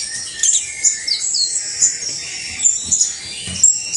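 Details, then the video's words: Criollo saffron finch (canario basto) singing a fast run of high chirps and sliding whistled notes, loud accents falling roughly once a second. "UN CANTO INCREIBLE DE CANARIO BASTO CRIOLLO"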